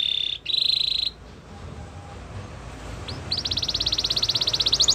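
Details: Belgian canary singing to warm up and get ready for females: steady high whistled notes for the first second, a pause, then a fast, evenly pulsed high trill rolling on to the end.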